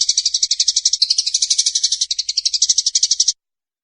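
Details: Unbroken, fast, harsh chatter of evenly spaced pulses for over three seconds from a fighting Eurasian tree sparrow, then silence.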